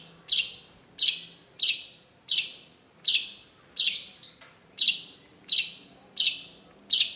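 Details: Cendet, or long-tailed shrike, singing a lure song: a steady run of about twelve harsh, scratchy notes, roughly one every 0.6 seconds, briefly broken by a squeaky phrase.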